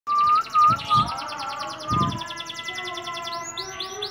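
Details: A local green-bottle canary, a frequent winner of practice contests in Gresik, sings a steady ringing note broken by quick repeated chirps, ending with fast, high rising-and-falling trills.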